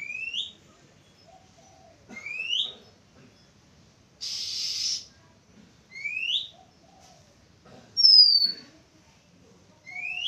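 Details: An Oriental magpie-robin sings on 11 April 2023: clear rising whistles repeated roughly every two seconds, with a short scratchy burst and one high thin note between them.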